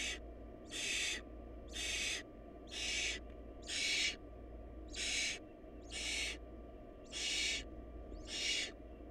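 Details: Hungry barn owl nestlings producing around ten harsh, noisy hissing screeches at a steady pace of roughly one per second, each burst short and broad, over faint low droning.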